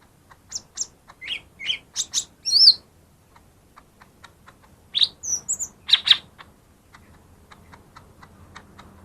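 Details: Lesser green leafbird singing, meant to provoke birds that stay quiet: a string of sharp rising chirps and a high whistle, a pause of about two seconds, then another cluster of bright squeaky notes before fading.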